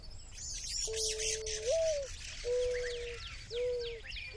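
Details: In the Sonoran Desert saguaro wilderness, a dove, said by a viewer to be a mourning dove, gives three low, hollow coos about a second apart, the first rising at its end, over high chirps and thin whistles from other birds.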